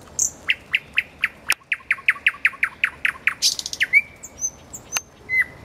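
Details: Common nightingale (Luscinia megarhynchos) singing beside a road: a fast run of about a dozen repeated chirping notes, a harsh buzzy burst, then drawn-out high whistles, with a couple of sharp clicks.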